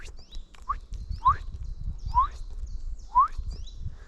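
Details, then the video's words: Common chiffchaff in spring, mid-April, giving soft, rising 'hweet' notes between songs, about four in four seconds, over low rumbling from footsteps or wind. "That's the chiff-chaff I was talking about, you know, the sound they make in between the songs."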